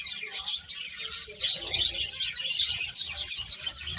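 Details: Many small birds chirp together in a dense, continuous chorus of high, rapid tweets, with some faint low rumbling underneath.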